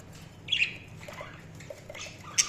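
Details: Budgies chirping in scattered short notes: a loud scratchy chirp early, then softer twittering bits and a sharp squeak at the end, with quiet stretches between and a low background hum.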